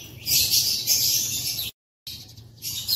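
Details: Morning in an aviary of African lovebirds, colour mutations such as opaline, greywing and edge, April 2024; dense, piercing high chatter from several birds, broken by a brief silent gap, then more squeaky twittering.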